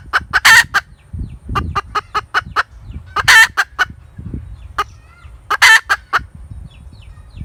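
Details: A hen cackles in repeated phrases of rapid short clucks, each capped by a loud, stretched, raspy note about every two and a half seconds, with low thumping noises underneath.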